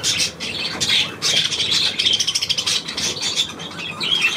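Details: On 9 February 2024 budgerigars keep up a fast, buzzy warble of clicks and chirps, pulsing rapidly, with a short whistled note near the end.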